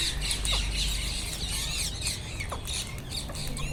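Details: Wild Indian ringneck parakeets squawk continuously, with shrill, grating screeches packed closely together at roughly four per second above a low steady rumble.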